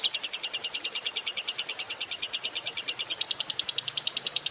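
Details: Gacor fighter lovebird in long ngekek, played to coax lovebirds into song. A rapid, steady, shrill chattering trill that drops slightly lower in pitch near the end.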